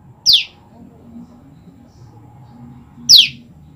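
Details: Two shrill, steeply descending notes, nearly three seconds apart, from a female olive-backed tailorbird calling for its mate after being separated from the male. A faint low hum runs underneath.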